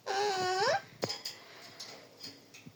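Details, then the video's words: A talking parrot gives one drawn-out, rich, nasal note that rises at the end, then a few faint clicks and soft room noise. "Beautiful parrot talking parrot"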